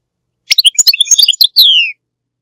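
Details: Goldfinch song: a fast jumble of high liquid twitters and chirps that ends in a drawn-out note sliding downward, with no background noise.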